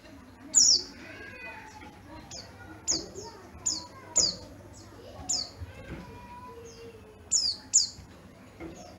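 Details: Yellow-breasted Oriental white-eye from Garut, Java, said to have a crystal-clear, loud voice. Sharp, very high, downslurred chirps come singly and in pairs throughout, with softer twittering notes and a faint low background between them.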